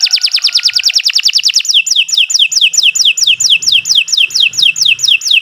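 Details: Canary (Kenari Nusantara) song used as a training recording for other birds: rapid repeated high descending sweeps, fast trills that slow into distinct downslurred notes around twice per second, long continuous delivery.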